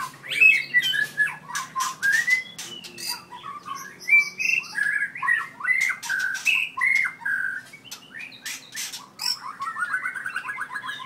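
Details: Over eleven seconds a white-rumped shama from Merapoh, Pahang, four years old and very aggressive, mixes loud clicks and ticks with fluty sliding whistles and quick trilled notes near the end.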